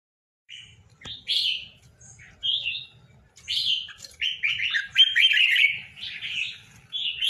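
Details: A pair of tame, caged red-whiskered bulbuls give short bursts of bright, chattering warbled phrases. The bursts grow longer and denser toward the end, with brief gaps, over a faint low rumble.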